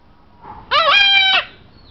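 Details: Tanimbar corella at an animal resort giving one harsh, nasal drawn-out squawk lasting under a second, rich in harmonics, over quiet background.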